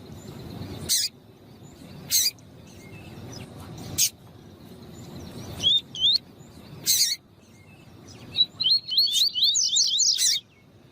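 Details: Rusty-collared seedeater male song with a female calling, meant to warm up captive birds: sparse sharp chips and clicks, a few slurred whistles near six seconds, then a quick burst of rising whistled notes at the end.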